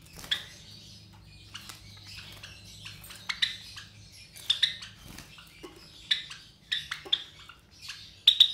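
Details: Java sparrow nestlings about 23 days old, three siblings from white Java sparrow parents in captivity; irregular bursts of raspy, high chirps, clustering toward the end, with light background hum.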